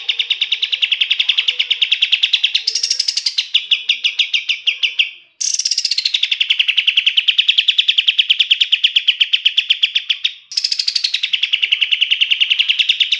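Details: Bulbul song used as a master recording for songbirds: three long bursts of fast, repeated bright notes, each starting higher and sliding down to a steady rattling trill, separated by short breaks.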